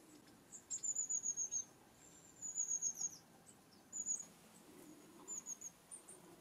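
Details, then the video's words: Long-tailed tit giving its high-pitched 'tsee-tsee-tsee' contact call, which keeps a flock in touch as the birds move from tree to tree; very thin, high notes in four quick bursts of three to seven notes each, over faint background hiss. "Long-Tailed Tit Call"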